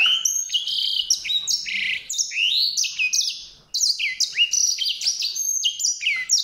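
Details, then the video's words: Unbroken stream of high, twittering song from a white-rumped seedeater, varied short whistles and slurs delivered quickly, with one brief breath-like pause partway through. "song canário-de-sobrebranco, Weißbürzelgirlitz, Edelzanger, kanárik sivý, zvonohlík šedý, greysinger"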